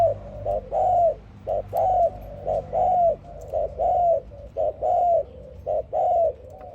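A dove coos steadily, soft low hooting notes alternating short and drawn-out, roughly one each second, with a faint background hum.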